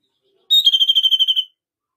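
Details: Red-rumped parrot song used to encourage a pair to mate: a bright whistled note followed by a fast, evenly pulsed trill of roughly ten beats, slightly falling in pitch, lasting about one second in an otherwise quiet setting.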